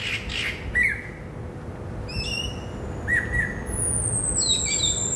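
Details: Greater racket-tailed drongo in a herb garden, Saturday afternoon of 16 December 2017, delivering a mix of harsh squawks, clipped mid-pitched notes and stacked whistles, ending with a long high descending whistle and sharp high chips.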